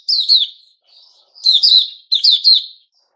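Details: Male sooty-headed bulbul recorded 10 July 2021. Three well-spaced pairs of bright, downslurred whistles are heard, each pair lasting about half a second, against a silent background.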